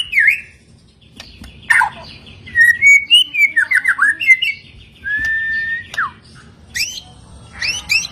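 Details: White-rumped shama singing to draw answers from stressed birds: crisp upslurred whistles, a quick run of looping notes, one long steady whistle, then rapid high twittering flicks.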